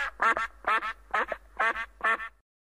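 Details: A duck gives five raspy, two-part quacks in a steady rhythm roughly every half second, clear and close, ending in quiet.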